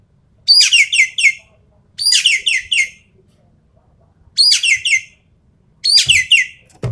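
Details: Javan pied starling singing 'full tembakan' style for champion-bird mental tests: four grating bursts of rapid, falling buzzy notes, clustered in two pairs, with a sharp knock at the end.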